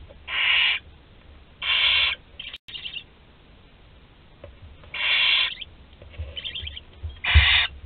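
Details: Last barn owl chick left in the nest at Théding, France, 26 July 2020, giving loud broad hissing shrieks, two close together, then a pause and three more with fainter rattling between, low rumble underneath.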